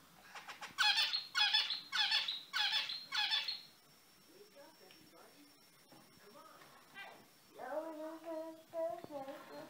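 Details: Active, brightly coloured zebra finches: four loud, harsh, buzzy bursts come about every half second, then a quiet stretch of soft chatter, followed by nasal, tonal beeping calls near the end.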